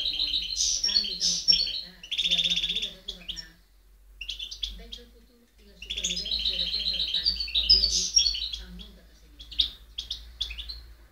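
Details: European goldfinch in full song, 2010: bursts of fast tinkling twitters and rattling trills, a few seconds' lull with soft chirps, then another long jumbled run of bright notes.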